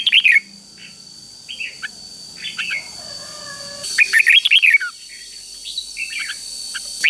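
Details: Caged red-whiskered bulbul giving its three-syllable 'double' song, meant for teaching young birds: short bursts of quick warbled notes separated by quieter gaps, with a constant high-pitched hum and faint background noise.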